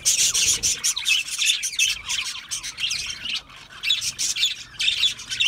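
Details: Budgerigars feeding on a seed mix give a dense stream of squawky chirps and scratchy warbles, a few short pauses breaking the constant high chatter.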